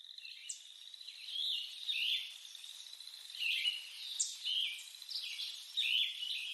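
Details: Lettered aracari (Pteroglossus inscriptus) giving short, sharp chirping notes in irregular bursts about every second, over a steady high insect drone.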